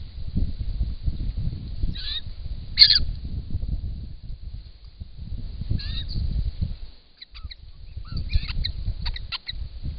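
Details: Wild White-winged Choughs recorded by a camera trap at a drinking pond in Australia; scattered harsh, rasping calls and a few short nasal notes, separated by pauses, over steady low-frequency rumble.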